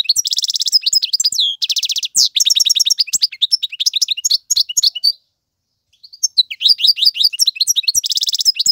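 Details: A male European goldfinch sings for young birds to learn from. It opens with loud buzzy rattles and rapid trilled bursts, then a busy twittering run. After a brief silence, more chirps and a buzzy rattle follow.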